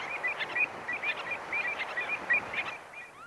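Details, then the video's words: Common tern conversational calls from medium close up, a run of short, harsh, slightly rising notes repeated in quick clusters over steady wind-like background hiss, with oystercatcher and lapwing in the distance. "Common Tern. MCU Conversational Calls. Oystercatcher And Lapwing In Distance."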